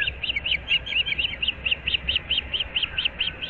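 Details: Nest-dwelling osprey, one of an experienced breeding pair about seven years old in Naples, Florida, on an April morning at 06:37: a fast, slightly uneven run of about sixteen high whistled chips over steady low hum.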